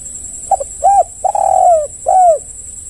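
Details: Full phrase from a spotted dove used as a calling lure: two tiny introductory notes, a short arched coo, a long sliding coo and a final falling coo, with a constant faint high whine.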